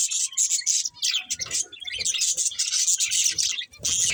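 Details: Continuous scratchy, high warbling from a budgerigar breeding pair, notes run together into a chattering stream with short breaks near one and three and a half seconds.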